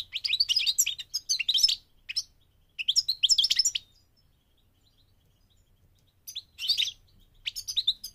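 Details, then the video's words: Goldfinch in migration giving short bursts of sparkling, high twitter separated by several seconds of quiet, the phrases energetic and clipped. "The singing of the migrating goldfinch"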